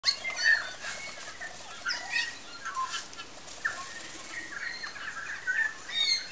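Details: New Zealand bellbirds feeding and singing on Tiritiri Matangi Island: clear, ringing bell-like notes and short whistles, mixed with chirps from other birds in a busy chorus.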